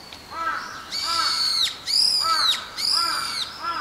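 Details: A migrating flock of brown-eared bulbuls, said to arrive from Siberia each January to strip a garden holly of its berries, gives loud, shrill, harsh screeches that drop at the end, about one per second, with softer lower notes from other flock members.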